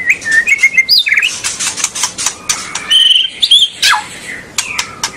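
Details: White-rumped shama singing to stir young birds into song: fast varied phrases of thin high whistles, slurred notes and crisp clicks, with a short pause before further bright whistled bursts.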